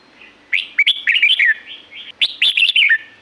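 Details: A red-whiskered bulbul from Thailand's Pa La-u forest sings two close, lively phrases of clear whistled notes that rise and drop quickly, with soft linking notes in between.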